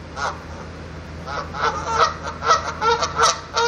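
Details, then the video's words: Geese on top of a van giving a rapid run of harsh, nasal honks, closely spaced and growing busier toward the end, with a low background hum. "Geese honking on my van"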